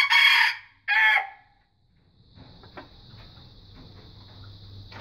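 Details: Growing young red junglefowl practising its crow: two coarse, raspy bursts open the recording, the second shorter and fading, followed by a steady high-pitched whine, a low hum and faint scattered ticks.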